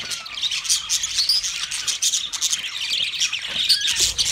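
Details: Many budgerigars, twenty pairs, chattering at once: scratchy high warbles, quick tweets and a few rising whistled notes layered in a continuous flock din.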